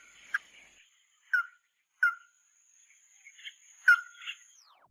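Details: Lure recording of the Mắt Đỏ bird: a few separate sharp chirps spaced about a second apart, ending in a louder downslurred note with a softer burbling note, over a thin steady whine that fades out.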